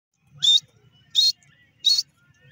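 A grey francolin gives three loud, shrill, harsh notes, evenly spaced about two-thirds of a second apart, over a faint low rumble.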